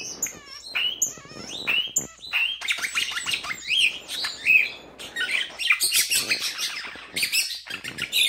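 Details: A pet starling sings on a bed, trying to wake its owner: opens with clear slurred whistles and descending notes, then shifts into crowded crackling, squeaky mimicry-like phrases and rattles.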